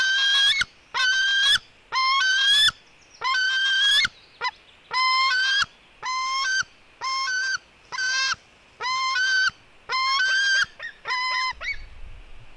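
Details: >White-tailed eagle eaglets, a female fighting with her brother: loud, harsh, harmonic squealing calls repeated roughly once a second, each slightly rising then level, in a steady run of about a dozen notes.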